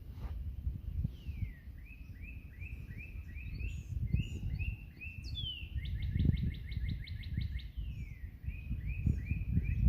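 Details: Competing Northern Cardinals singing on a cool April 19 morning bird hike: loud clear down-slurred whistles repeated in steady series, then a fast run of short repeated chip-like notes, over strong low rumbling wind or traffic noise.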